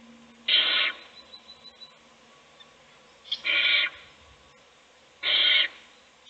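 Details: Owl feeding one chick in a nest box while its siblings sleep; three broadband rasping hisses, each under half a second, separated by gaps of about two and a half seconds, with soft ticks between them.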